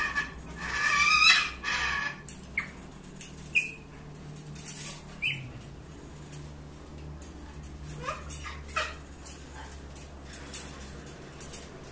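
A harsh, grating screech opens, followed by scattered short shrill squawks and clicks, over a steady low mechanical hum.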